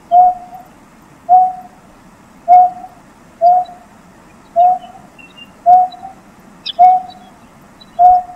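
Greater painted-snipe giving eight soft, low hoots, each slightly rising, spaced about a second apart like breath blown across a bottle; faint background hum.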